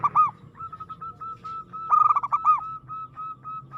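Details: Zebra dove, local bird, singing aggressively: a continuous run of short, rolling coo notes with a louder rapid burst in the middle, over a low hum.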